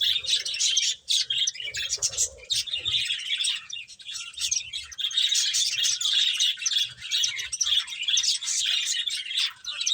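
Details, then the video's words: Several finches chirping while eating: a dense, steady chorus of high, bright chirps and tweets overlapping almost without pause for ten seconds, with faint low thumps underneath. "Cute Birds Chirping Sounds | Beautiful Finches Eating"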